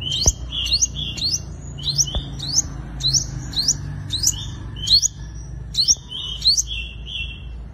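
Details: Five-coloured sunbird in fighting song for luring wild birds: rapid high chirps that sweep upward, often paired, with drawn-out whistled tails, a dense run over eight seconds, a few soft clicks behind.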